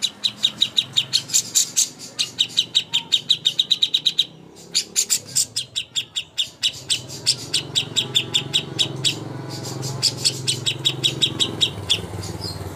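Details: Greater green leafbird contest master song: long sequences of quick, high, repeated notes in bursts with short gaps, over a low background rumble in the latter half.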